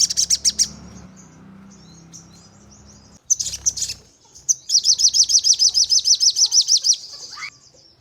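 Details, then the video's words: Sogon (crimson sunbird) lure recording meant to make kept birds answer with rapid 'nembak' bursts and wing-fluttering: scattered high squeaky chirps, then a fast, even run of about seventeen sharp piercing notes over two and a half seconds. "Burung Sogon Untuk Pancingan Dengan Nembak Dan Ngleper"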